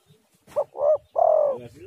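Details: A single spotted dove phrase played to draw responses from other doves: clipped opening note, a fuller coo, then a drawn-out vibrating coo dropping gently in pitch.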